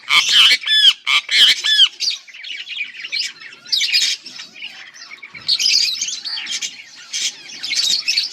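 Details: Two pet budgerigars, a pair, warbling together: clear upward-sweeping whistles open, then scratchy chatter, squeaks and buzzy trills come in uneven bursts of about three per second.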